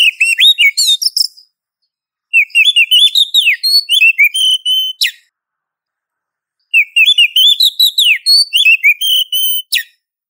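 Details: Female Oriental magpie-robin calling to a male in long varied phrases of slurred whistles, warbles and scratchy chattering notes. Each phrase ends in a sharp note, and the phrases are repeated after short pauses.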